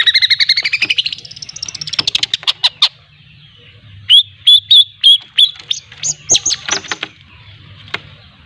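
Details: Young long-tailed shrike from Lampung learning its song, opening with rapid scratchy trills, then a series of sharp, squeaky high whistles repeated about three times a second, ending in harsh chatter.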